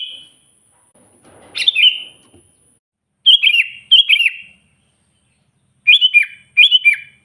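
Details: Loud sooty-headed bulbul song aimed at wild rivals: a bright phrase after a soft rustle, then paired bubbly phrases of quick, warbled notes, with pauses between the pairs.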